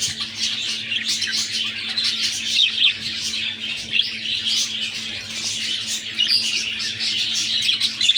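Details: A budgie breeding pair indoors, with egg-laying time arrived, keeps up a lively twittering chatter of quick chirps and soft squawks, steady throughout, with a low electrical hum in the background.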